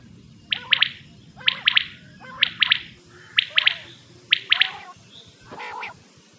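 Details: Quail calling on a hunting lure cassette. Crisp three-note phrases repeat roughly once a second in a steady rhythm, and a harsher burst comes near the end.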